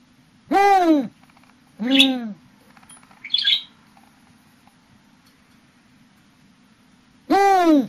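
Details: Spotted eagle-owl (Bubo africanus) giving three harsh, rising-then-falling calls about half a second long, irregularly spaced, with a brief rasp between them and a steady low hum.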